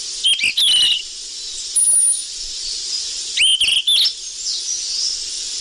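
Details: A golden flycatcher (sikatan emas) lure recording: high, sharp whistled chirps in quick, noisy bursts, some with short twittering trills, over a steady hiss.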